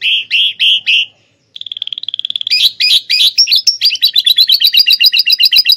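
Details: Atlantic canary singing a learned lovebird-style fill: a few loud rounded chirps, a brief pause, a thin steady trill, then quick sharp notes speeding into a dense repeated chatter.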